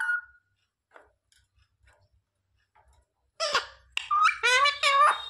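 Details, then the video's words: Young pet ringneck parrot indoors in India mimicking speech: after a near-silent pause and a person's soft voice, a burst of nasal, harmonic, word-like syllables in quick succession, some rising and falling. "baby parrot talking mummy"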